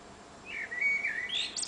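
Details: On a June summer evening a blackbird sings from an antenna, giving a smooth, slurred, flute-like phrase that dips and rises, then ends in a sharp, high-pitched chattering twitter.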